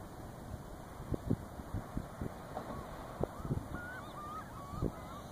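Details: Black-necked swans at Cáhuil, 13 km south of Pichilemu, Chile, in 2014, give short, low honking notes at irregular intervals, with thin wavering whistles from other waterbirds and a steady background hum.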